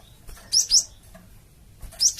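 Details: Lure call of a Java sparrow, meant to make flocking birds answer at once: a quick double chirp, thin and high, then a pause and a single further chirp at the end.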